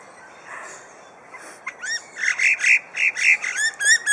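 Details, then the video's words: Zoo-kept superb lyrebird at Adelaide Zoo imitating other sounds, starting faint then building into a rhythmic series of buzzy notes with sharp upward whistled flicks, about four per second. "Adelaide Zoo Lyrebird"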